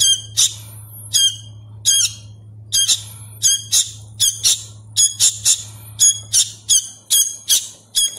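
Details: Hand-reared sooty-headed bulbul nestling squawks insistently: rasping, high, harmonically rich calls coming in quick pairs and triplets, faster toward the end, over a constant low electrical hum.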